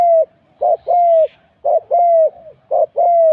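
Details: Thai spotted dove used as a decoy, cooing steadily: a clipped lead note and a longer smooth falling coo, repeated about every second in even rhythm.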